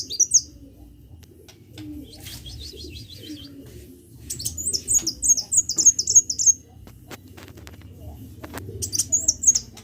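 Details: Sunbird in vigorous song (gacor): faint high twitters early, then a bright fast string of about six high slurred notes, a pause, and a shorter burst near the end; low background hum.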